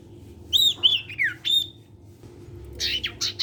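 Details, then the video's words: A lively sirtu sings, its song meant to prompt other sirtu birds to join in: quick swooping whistles and slurred notes, then a burst of rough, scratchy chatter. "SIRTU CIPOW GACOR BIKIN SIRTU BAHAN IKUT BUNYI."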